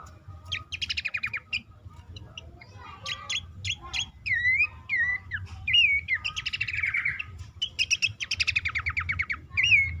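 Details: Bush warbler lure call meant to make quiet or stressed caged birds start singing; bursts of rapid ticking trills alternate with clear looping whistled notes, over steady low background hum.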